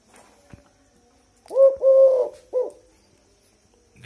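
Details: Tame Eurasian collared dove filmed very close, giving a three-part coo: a short note, a long drawn-out middle note, then a brief final note, with a few faint clicks and rustles around it.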